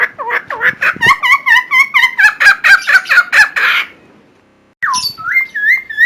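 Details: Loud, unusual song of a Helmeted friarbird used to train other birds: a quick run of paired two-pitched whistles, roughly three per second, then a brief silence and a swooping note leading into evenly repeated curled whistles.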